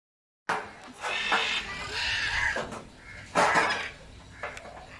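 Macaws give loud, harsh, raspy squawks in three or four bursts about a second apart, each rough and broad like a hoarse scream.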